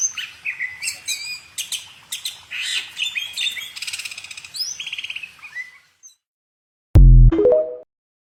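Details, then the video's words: A bird sings a lively run of chirps, whistles and a short buzzy trill for about six seconds, then falls silent; a loud low thump and a brief harsh noise follow near the end. "kicau burung"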